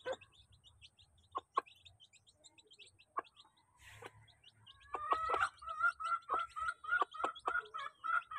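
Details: A crowd of domestic chicks at feeding time: short high peeps repeat rapidly at first between scattered pecking taps, then louder tonal calls with harmonics take over, coming in quick bursts about three times per second.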